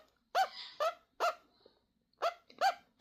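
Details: Pet peach-fronted conure trying to repeat its owner's noises. Five short, hoarse, honking squawks come in two clusters separated by a brief silence, each call nasal and rasping.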